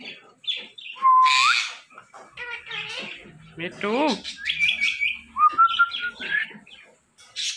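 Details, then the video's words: Talking ringneck parrot: a clear whistled note swinging up into a squawk, then falling nasal syllables and jumbled speech-like chatter. A long, level whistle rises near the end. "The Best Talking Compilation Of Ringneck Parrots"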